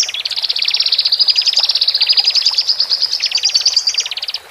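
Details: Male and female Horsfield's bush larks, recorded to relax freshly separated cage birds: a rapid rattling trill running under a steady thin high whistle-like line, the two sustained together for several seconds.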